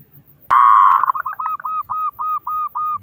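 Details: Loud local zebra dove used as a prompting song for other doves: one long steady coo followed by a regular series of short even notes, about three per second, continuing to the end.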